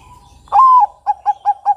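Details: Zebra dove of the Bangkok type, the perkutut, singing: one long, slightly rising cooing note held for a moment, followed by four short, evenly spaced coos at the same mid pitch, over a faint low rumble.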